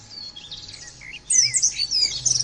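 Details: Oriental white-eye (pleci) in the 'nembak' singing style, used in a training recording: soft thin whistles and slurs, then a sudden louder burst of high, jumbled twittering over a low hum.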